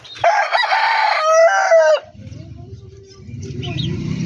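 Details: Rooster in a backyard poultry yard crowing one long, loud, harsh crow lasting almost two seconds with a steady then slightly falling tone, followed by low rumbling background noise and faint distant calls.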